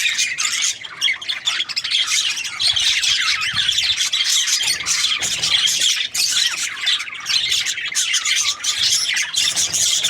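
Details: Budgerigars chirping as a group: dense, unbroken chatter of overlapping high warbles and squeaky chirps, steady throughout with no pauses.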